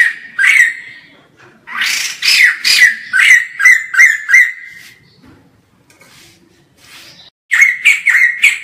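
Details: White-crested laughingthrush in full loud song, filmed from far away: bursts of rich whistled notes centred around a steady pitch, several quick phrases in a row, a pause with faint chatter, then another loud burst of repeated notes.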